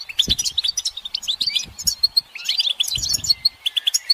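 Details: European goldfinches twittering in a group, calls said to draw silent males into song: lively, metallic high chirps in close bursts, alongside soft low knocks at the start and again near three seconds.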